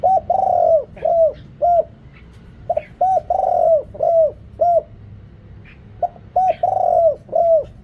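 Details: Spotted dove decoy calling in Thailand to lure wild birds: deep, resonant coos near one pitch, each note ending in a slight downward slur, given in quick phrases of three to four notes with short pauses, with a faint background hum.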